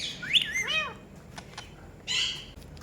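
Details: Talking Rose-ringed parakeet giving short harsh chirps and a rising-then-falling squeaky note with rich overtones, followed by a pause and a final buzzy burst, in a quiet room.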